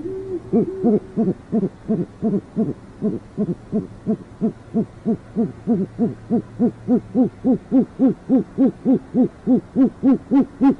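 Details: Urban great horned owl pair, northwest Oklahoma City: a fast, very regular series of arched, mellow hoots, more than three per second, building gradually louder through the run, with a faint low hum underneath.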